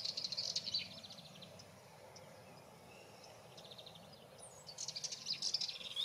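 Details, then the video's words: Sardinian warbler song: two bursts of rapid, scratchy, high-pitched chattering, separated by a few seconds of faint notes over soft outdoor noise. "el canto de la curruca cabecinegra"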